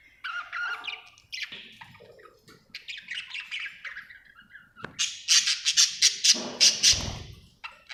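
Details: Happy pet budgerigar chirping indoors; rambling scratchy warble gives way to a series of loud, harsh, evenly spaced squawking pulses about three per second, with a low thump near the end.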